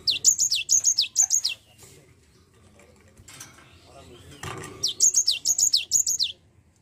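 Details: Java sparrow used as a lure to make a lazy bird sing: two bursts of high, quick downslurred chips about three per second, separated by a few seconds of quiet rustling.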